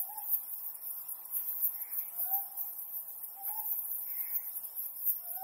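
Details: Ryukyu scops owl at night under the harvest moon giving short, mid-pitched hooting notes, slightly rising and repeated every one to two seconds, over a steady high insect hiss.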